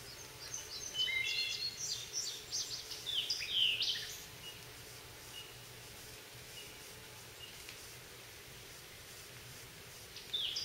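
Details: A Wood Thrush sings in a holler on 20 June 2014: fluty, ringing phrases with high trilled endings packed into the first four seconds, then a quiet pause and one more phrase at the end.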